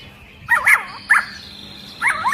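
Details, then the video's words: Long-tailed white-rumped shama, agitated, its singing said to set other shamas singing; a few short looping whistled phrases separated by pauses, over a steady high background whine. "Murai Batu Ekor Panjang Ngamuk Dan Bikin Burung Murai Lain ikut Gacor !!!"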